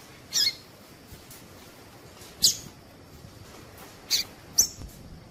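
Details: Female Double-collared seedeater calling, used to stimulate males to sing; short high chirps spaced irregularly, four main notes over a few seconds against faint background hiss.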